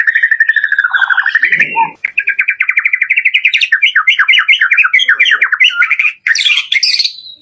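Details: White-rumped shama lure song in full variation, played to stir a kept bird into singing: continuous rich warbling, rapid repeated notes rising and falling, then a sharp high burst near the end.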